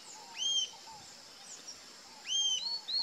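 Rufous-tailed jacamar giving high, clear, slightly rising whistled notes, two sharp calls about two seconds apart, with a constant insect hum behind.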